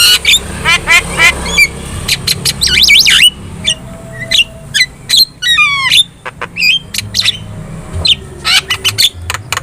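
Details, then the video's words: Javan myna in full song for masteran training, intended to provoke other birds. Rapid buzzy trills and warbled whistles give way to a harsh rattling burst, then more varied sharp notes and clicks. "SUARA MASTERAN JALAK KEBO GACOR | Cukup Putar 2 Menit,Di Jamin Burung Lain Bakal Respon"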